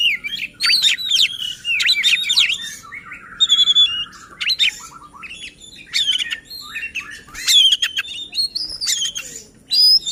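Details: Provocative song of a white-rumped shama, meant to make other shamas sing persistently; fast chattering bursts, slurred whistles, a sustained buzzy note and looping up-and-down phrases follow in irregular succession.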